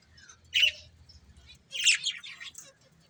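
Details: A breeding pair of budgerigars: one short, harsh, high chirp, then a longer burst of scratchy warbled chatter, with a faint low hum underneath.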